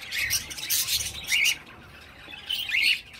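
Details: Baby cockatiel giving harsh, hissing chirps in three bursts, with raspy noise spread high up and short rising notes between them.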